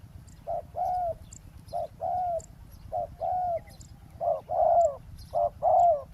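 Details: Spotted dove calling during ground decoy trapping beside a road: short coo followed by a longer, slightly falling purring coo, the pair repeated about once a second, with a steady low rumble underneath.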